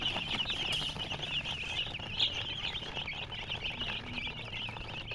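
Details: Coloured baby chicks keep up a busy, high-pitched peeping chorus, with short sharp chirps crowding over one another and a brief louder burst midway.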